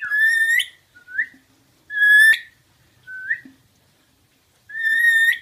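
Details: Pet rainbow lorikeet in a whistle game, mimicking a tune whistled by its sitter: rich, overtone-laden whistles near the start, middle and end alternate with the person's softer, purer whistled phrases.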